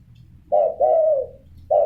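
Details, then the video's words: Spotted dove cooing: a short low coo, then a longer drawn-out hollow coo that fades, and the start of another coo, in a quiet indoor setting. "Tekukur gacor."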